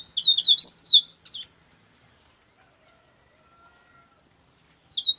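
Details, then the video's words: Double-collared seedeater, coleiro bruto song: a fast, loud cluster of sharp, downslurred high notes, a short extra phrase, then several seconds of quiet before one more chirp. "coleiro bruto"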